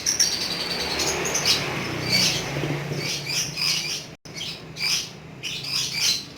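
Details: Singing lovebird delivering ngekek chatter: shrill, grating high-pitched bursts over a soft low hum, broken by a short dropout before further rhythmic chirping runs.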